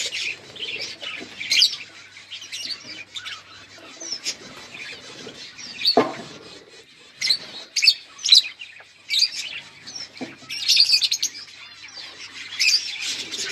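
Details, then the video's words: Lovebirds chatter while mating: scratchy high twitters broken by sharp squeaks and short bursts of louder calls, continuing throughout. "Lovebirds mating sounds"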